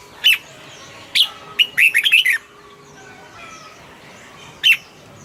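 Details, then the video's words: Red-whiskered bulbul in a cage, its song meant to liven up other birds: lone sharp chirps, then a quick string of five bright slurred whistles, then silence and a final chirp. "เสียงนกกรงหัวจุก ขวัญใจสายเบิ้ลอาชีพ ฟังแล้วคึกเหมือนเดิม"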